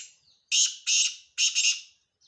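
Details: Male kala teetar, the black francolin, utters its rasping call: two strong harsh notes followed by a stuttering double note, each loud and buzzy, in a quiet setting.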